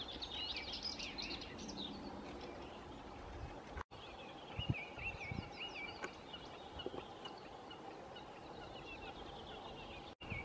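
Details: Common snipe, standing before flying off, gives quick, repeated chirping notes at a mid-high pitch, mixed with other bird chirps over a low rural background hum.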